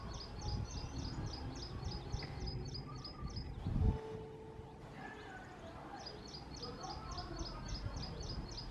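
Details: A male house sparrow calling nonstop at a nest box in a backyard; rapid series of short, high chirps repeated in quick runs at the start and again near the end, with low rumbling background noise and a brief thump midway.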